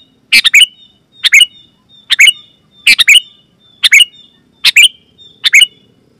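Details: Sooty-headed bulbul chattering loudly and clearly, a call for luring wild birds and prompting caged bulbuls to sing; seven snappy double chirps with short ringing tails, repeated briskly near once per second.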